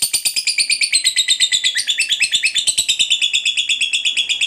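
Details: Lovebird giving its long chattering ngekek song, used to lure other lovebirds into singing: dense harsh rapid chatter of high buzzy notes pulsing about three times a second without pause.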